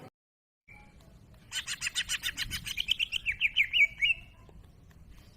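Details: Greater green leafbird in gacor masteran song: a fast rattling series of about fifteen buzzy notes speeding into a short wavering whistled warble, over steady low background hiss.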